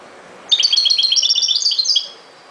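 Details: European goldfinch delivering a ghoroub-style song phrase, a lively stream of rapid, bright, liquid chirps and trills lasting around one and a half seconds, with no other sounds.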